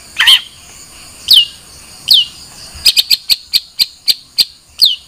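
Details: Long-tailed shrike calling with a few loud downslurred notes, followed by a quicker series of sharp, evenly spaced chirps, over faint background hiss.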